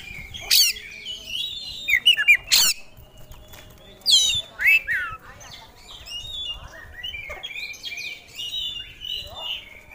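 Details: Caged oriental magpie-robin, a contest songbird, bringing out its repertoire of phrases: sharp loud whistled sweeps and clicks early, then scattered quieter warbled and buzzy notes with gaps, over light background rustle.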